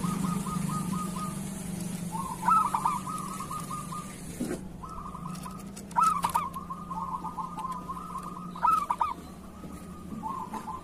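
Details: Local zebra dove song to encourage sluggish or moulting doves to sing: three loud stuttering whistled bursts, each running into long even trills, with softer overlapping trills and a low background hum early on.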